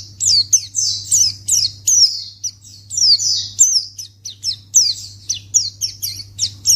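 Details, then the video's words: Lure recording of a white-eye meant to provoke an immediate reply from other white-eyes: rapid series of sharp, high, falling chirps and slurred tweets packed closely together, with a constant low hum beneath. "Pleci Akan Langsung Merespon Memancing Bunyi Burung Pleci"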